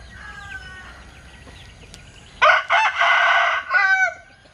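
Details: Linh Kê chicken crowing in an unusual way: faint distant crows first, then a loud close burst of stuttering notes, a long harsh held note and a short falling ending.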